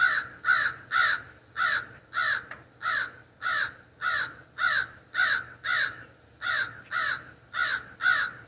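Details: Raven calling from an ash tree in a backyard, heard from a sunroom window: a long steady series of about fourteen rough, hoarse caws, close to two per second with little variation.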